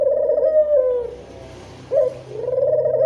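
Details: Barbary dove of a local kind, its call used as a lure for doves: two rolling, purring coos separated by a short sharp note, with a faint hiss in the background.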